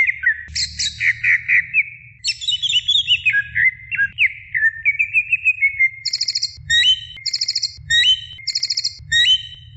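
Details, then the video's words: Greater green leafbird training recording: varied whistled warbles and descending note runs, then a rhythmic series of about six repeated buzzy high notes paired with upswept whistles, each roughly half a second apart; faint low hum. "suara masteran cucak ijo gacor"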